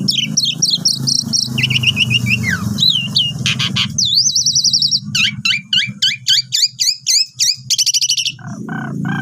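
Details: Asian pied starling lure song used for tutoring new birds. Dense chattering and slurred whistles give way to a regular string of sharp, upward-flicked notes, about three per second, with a low background hum.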